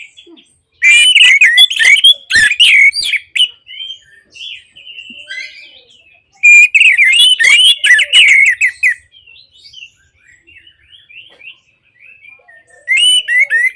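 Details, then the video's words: Orange-headed thrush singing, a recording meant to make silent thrushes sing again: dense, rich warbled phrases with rapid twittering, two loud bouts separated by softer distant whistles, and a final loud burst. "Terapi Anis Merah Bisu | AM Macet Jadi Gacor Coba Di Putarkan Suara AM Ini"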